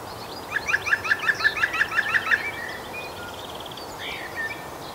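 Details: A male European green woodpecker at Gosforth Park gives its laughing yaffle: about ten loud, ringing notes at roughly five per second. A thin trill and chirps from other birds follow over steady background hiss.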